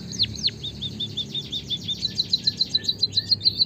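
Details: White-headed munia chirps for prompting caged birds to sing: two sharp downslurred notes followed by a fast, even trill of thin high pips.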